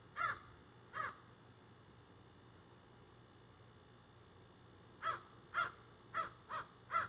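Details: Crows squawking in backyard trees, phone recording: two short caws, a pause of several seconds, then a quicker run of five clipped caws.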